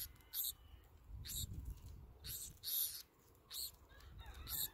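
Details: Young Black-throated sparrows being fed, passed food from hand to beak, give five harsh, hissing, high begging bursts about a second apart over a low background rumble.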